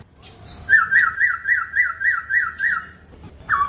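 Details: Chinese hwamei song: a rapid run of about nine clear, arched whistled notes at a steady mid pitch, each note rising then falling, with a brief softer lead-in and a lower slurred whistle at the end.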